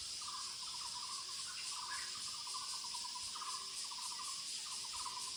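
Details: Muller's barbet calling in the woods: short rattling, pulsed notes at a low-mid pitch, repeated in bursts roughly every second, over a steady, loud, high insect hiss.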